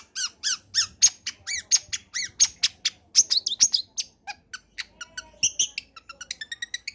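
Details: Long-tailed shrike singing a varied combination to coax silent shrikes into song: a rhythmic string of high arched whistles, then a jumble of sharp notes and a fast ticking series near the end.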